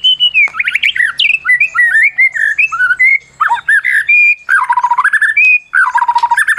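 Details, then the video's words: Medan-type champion white-rumped shama sung to provoke silent shamas within minutes. A rich, loud medley of whistled slurs, harsh squawky notes and rapid stuttering trills, with sudden drops and rises in pitch. "Masteran Murai Batu Medan Berprestasi !! Murai juara,, cocok pancing murai lain yg bisu"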